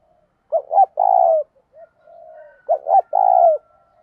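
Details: Decoy spotted dove cooing to provoke fighting: two loud phrases, each two short rising notes followed by a long, rich coo, with a soft low murmur between them.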